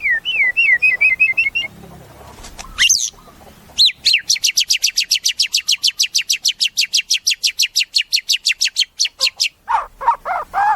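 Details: White-rumped shama, a caged murai kept for song, giving looping whistled notes, then a long fast series of about forty sharp, evenly repeated high chips, closing with lower warbled notes.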